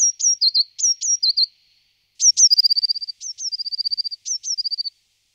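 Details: Eurasian blue tit singing clear high phrases: each starts with one or two sharp downslurred whistles and runs into a quick, even trill of about ten notes, repeated four times with short pauses.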